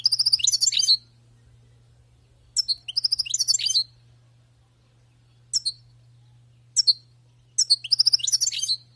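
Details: European goldfinch, a wild-caught bird, giving high, liquid twittering phrases of rapid tinkling notes. Five bursts of different lengths are separated by short pauses over a faint low hum.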